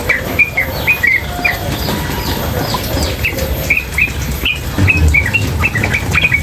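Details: Sooty-headed bulbul, female, chattering continuously. Brief bright upward-flicking chips come in loose clusters with short pauses, over constant hiss and low rumble from flowing water.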